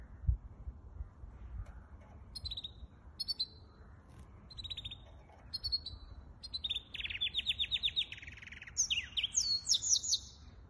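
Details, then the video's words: Hybrid finch song from 23 April 2023, opening with spaced short chirps that build into a fast rattling trill and twisting high whistled notes toward the end, in an otherwise quiet setting. "гибрид поёт"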